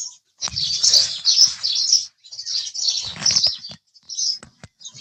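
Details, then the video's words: Busy chattering of house sparrows, rapid high chirps in two long bursts with a few isolated notes at the end, plus soft low rustling. "house Sparrow Chirping Sound"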